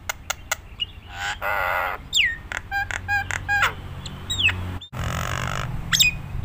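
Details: Nias hill myna in a mixed song used to train other mynas: clicks, harsh rasping squawks, descending whistles and rapid ringing notes, with background rumble.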